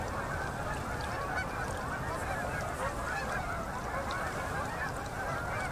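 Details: Autumn concentration of Canada geese arriving at a river in Manitoba, Canada, at sunset, October 2018. Hundreds of honking voices merge into a seamless, even roar of calls without pause.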